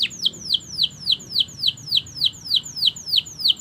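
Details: Canary singing a tour of evenly spaced, down-slurred whistled notes, about three per second, from a long master track for young canaries learning song.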